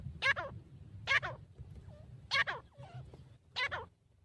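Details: Grey francolin used as a hunting call: four loud, harsh, harmonic notes spaced about a second apart, each with a wavering, warbling contour, over a low background rumble.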